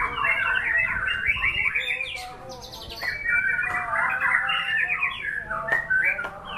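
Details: A continuous torrent of white-rumped shama song, fast warbled notes packed tightly together. Bright whistled phrases and clicks are interspersed with sudden sharp high ticks, and there are almost no gaps.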